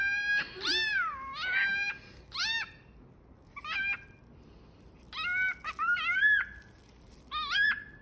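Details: Cockatiel copying a cat, producing falling, nasal meow-like notes, some stretched and bending, in separate bursts spaced over several seconds within a quiet room.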